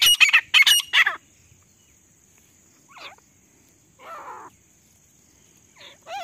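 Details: Female grey francolin calling in jungle, used as a hunting lure: three loud, harsh, ringing bursts in the first second, then faint, scattered rasping notes after a long quiet gap, with a steady high hiss throughout.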